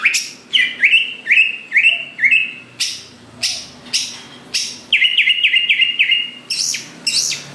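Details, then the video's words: Greater green leafbird singing energetically to prompt other green leafbirds to start singing: a quick series of rising chirped notes, roughly two per second, interspersed with sharp high bursts, all clear and high-pitched against a quiet background. "Cucak Ijo Gacor Paling Pintar Memancing Cucak Hijau Lain Agar Cepat Bunyi Gacor"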